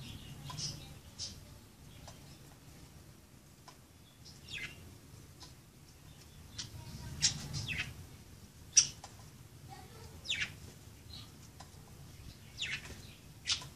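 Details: Pet budgerigars at play give scattered high, downward-sweeping chirps and short squeaks, irregularly spaced, some louder bursts, over a steady low hum.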